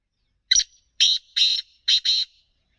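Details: Free-roaming black francolin (kala teetar) calling: one harsh, grating phrase of five rasping notes, a short first note then longer scratchy ones, the last two close together, in about two seconds. No other sounds.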